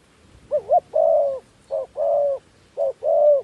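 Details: Dove acting as a decoy for wild doves, repeating a phrase three times: short wavering hoots then a long, steady, hollow coo, about one phrase each second.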